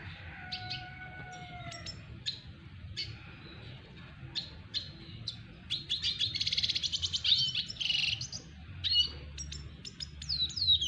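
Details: Double dilute red siskin singing to woo a female: a few soft long whistles, then scattered high chips building into a fast buzzy chattering trill, followed by sparse sharp notes over a low hum.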